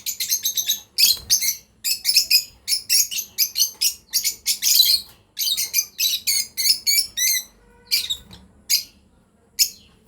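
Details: Breeding pair of lovebirds chirping steadily: a fast, even series of shrill, buzzy notes, about three per second, some with wavering pitch, slowing toward the end over a faint hum.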